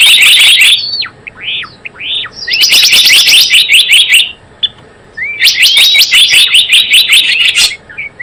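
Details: Java sparrow lure calls for trapping: bursts of rapid, bright chirps repeated about two to three times per second, separated by quieter gaps with a few isolated rising whistled notes.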